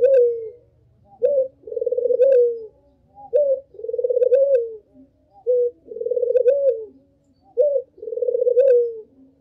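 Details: Barbary dove (puter) lure call, used as bait for all kinds of puter doves: a short rising note followed by a long throbbing coo that falls at the end, the pair repeated about every two seconds, with a faint low hum at the start.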